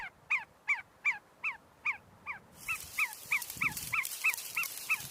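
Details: Feeding and fighting flock of see-see partridges inside the University of Sulaimani in Kurdistan, giving clipped descending notes in a rapid series, the later ones quicker and softer as a burst of hissy noise rises behind them.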